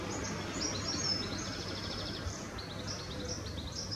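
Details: Norwich grey wagtail fledgling recorded 10 May 2017 calling repeatedly with high, sharp, clipped notes in rapid loose series, several per second, over a low continuous hum.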